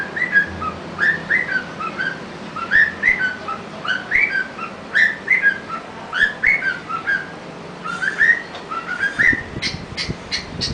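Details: A male pet cockatiel whistles the Addams Family tune in clear, mid-pitched notes, then switches to mimicking a car alarm with shrill, repeated chirps.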